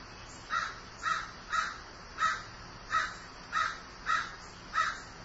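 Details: Crow described as grieving, calling a steady string of eight rasping caws, about one every two-thirds of a second, over a quiet background.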